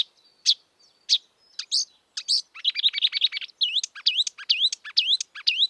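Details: Marsh warbler (kerak basi) singing in the wild: a few spaced sharp notes, then a dense buzzy chatter, followed by repeated rising-and-falling whistled slurs.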